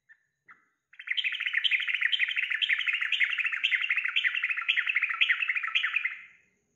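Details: Yellow-vented bulbul song used as a lure for a caged bird: after a few soft notes, a sustained rapid series of bubbly, rolling chatter repeats steadily for about five seconds, then fades out.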